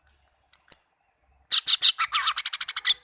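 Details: Tame orange-headed thrush song: a thin, very high wavering whistle and a short note, silence, then a fast, dry, rattling series of repeated notes that speeds up.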